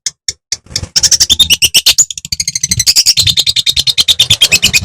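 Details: Madura long-tailed shrike singing loudly and persistently to provoke other shrikes into singing. A fast, dense run of sharp high chattering notes, with clicks at first and then a continuous rapid stuttering series.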